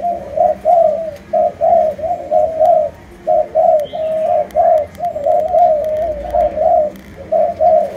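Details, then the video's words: Spotted dove of Malaysian stock: loud, rhythmic low coos repeated about once a second in a steady string, with a short break midway. "Cu Gáy Malaysia Nhiều Dòng"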